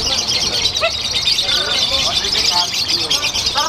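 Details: Yellow wesi kuning lovebird, a newcomer at the Piala Danyon Arhanud 15 singing contest in Semarang, Indonesia, delivering its konslet song: a dense, unbroken high chattering trill, over loud shouting from the crowd.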